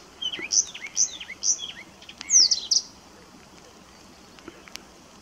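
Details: Blyth's reed warbler at RSPB Middleton Lakes on 18 June 2021 sings a short phrase of high, clear whistled notes repeated at about half-second intervals, ending in a brighter burst, then falls quiet.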